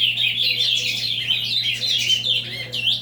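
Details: Avalanche-style song of an ultramarine grosbeak, a continuous fast warble of high chirps and slurred whistles with a brief rising sweep at the end, a constant low electrical hum beneath.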